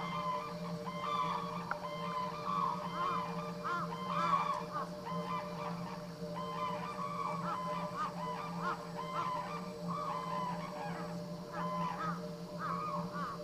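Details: Black-necked crane kept at Akan International Crane Center, recorded January 8, 2006, giving a long run of repeated honking, trumpeting calls in rapid rhythmic bursts, with a constant low background hum throughout.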